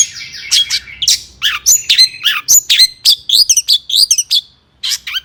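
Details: Agitated long-tailed shrike song meant to provoke rival shrikes: varied rapid phrases of scratchy notes, clear whistles and rising-falling slurs, delivered in quick bursts with a brief pause near the end.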